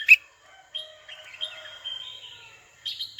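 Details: Red-whiskered bulbul calling a rival. A sharp chirp opens the phrase, then a soft, thin warbling whistle, and a brief buzzy note closes it.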